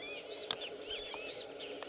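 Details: At Água Doce, a Tawny-bellied seedeater (Sporophila hypoxantha) sings a clear, high whistled note slurring downward, over faint chirps from other birds and a few clicks.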